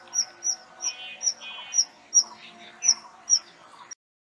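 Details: Kingfisher repeating sharp, high whistled notes at uneven intervals of about half a second, with softer lower twittering and a steady faint hum in the background.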